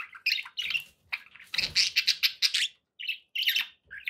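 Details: Pet budgerigars giving short, bright chirps and squawky notes, then a quick rhythmic series of about six loud chirps, followed by scattered tweets.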